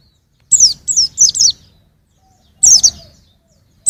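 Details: High, thin chirping from a young white-eye in 2021: four quick descending notes, a pause, then another short burst of sharp twitters.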